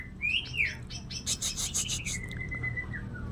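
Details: Kalimantan cucak ijo leafbird, singing coarse shot phrases with a shrike-imitation fill: rising and falling slurred whistles followed by a drawn-out thin whistle, over noticeable background hiss and murmur.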